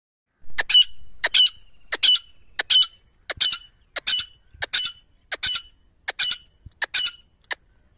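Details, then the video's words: Grey francolin call, recorded for use in hunting: loud, harsh, squeaky notes repeated about every half second in quick pairs and triplets, sharp and high-pitched, with no other clear sounds. "Grey Francolin Bird Sound For hunting"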